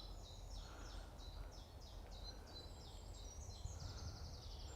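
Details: In spring in the UK, a distant little grebe gives high, rapid trilling bursts, repeated throughout, over a steady low rumble of wind and background noise, while other birds call from nearby reeds.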